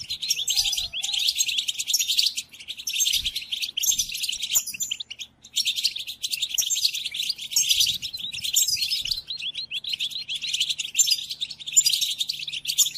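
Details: Long run of European goldfinch song for training caged goldfinches: lively, high, chattering twitter with rattles and bright chirps, brief pauses around five seconds.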